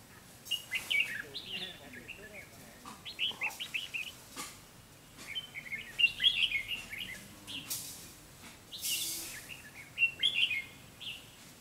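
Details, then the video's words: Red-whiskered bulbul singing as a lure in a trap-fight to bring in a rival; lively warbled phrases and chirps repeat irregularly, with occasional thumps and rustling noises in between. "bẫy đấu chào mào"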